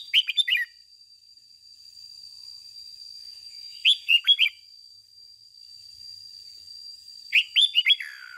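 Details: Red-whiskered bulbul lure bird repeating its ché song: three similar phrases of four or five sharp, warbled notes, roughly every three and a half seconds, with a steady high whine between.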